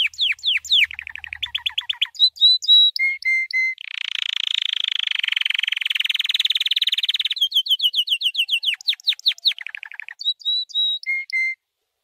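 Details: White canary singing a training song for other birds to learn: fast repeated high notes, short whistled tours, then a long dense buzzing roll lasting several seconds, followed by more rapid trills and clear whistled notes.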